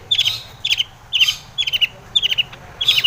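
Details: Long-tailed shrike song used as a lure to provoke other shrikes into singing and agitation: six short bursts of three or four sharp, high chirped notes, repeated about every half second over faint low background hum.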